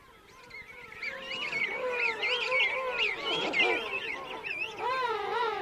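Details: King penguin adults calling in a colony of adults and chicks at Right Whale Bay, recorded close up; many overlapping wavering, harmonic trumpeting calls rise and fall together in a dense chorus, louder through the middle.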